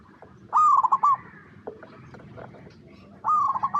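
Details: Zebra dove, a local perkutut, recorded in natural habitat as a calling lure: two loud rapid stuttering coo bursts at the start and end, with faint notes and a low background murmur between.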